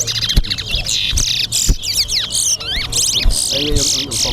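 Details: Two towa towa birds in a song race at Mahaica: loud rapid warbling with whistled sweeps and buzzy phrases delivered in quick bursts, broken by sharp clicks and knocks, with faint music in the background.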